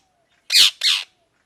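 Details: Parrot chirping: two rough, broad, grating squawks, the first slightly longer, separated by a brief gap, with a faint low tone running underneath.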